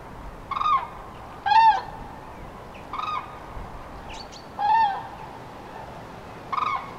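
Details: Common cranes on spring migration over central France, 5 March 2016, mid-afternoon, many groups broken up by bad weather, give loud rolling trumpeted calls in five uneven bursts, with fainter higher notes and steady background hiss.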